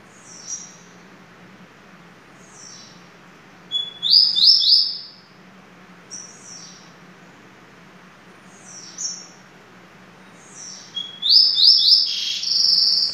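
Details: Double-collared seedeater singing over about thirteen seconds: short high chirps every second or two, and two loud phrases in which a whistle leads into a buzzy rising trill.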